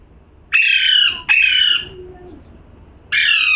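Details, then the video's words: Parrot calling with two rasping squawks in quick succession, a short pause, then a third harsh squawk starting. "#parrot🦜🦜🥰 #calling sound"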